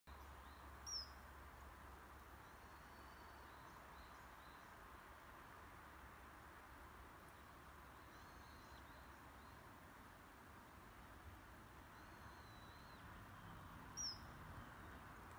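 Two sharp, shrill, high whistled notes from a common kingfisher, about thirteen seconds apart, over a steady hiss of background noise with faint distant chirps.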